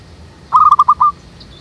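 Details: Zebra dove in a jackfruit tree behind a house, calling as a trapping lure: a single quick burst of about five clipped coo notes ending in a slightly longer one, then a faint high chirp.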